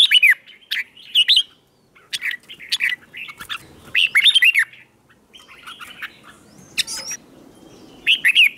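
Red-whiskered bulbul giving bright, bubbly warbled phrases with sharp chirps, in short bursts about every half second to second, over a quiet low background.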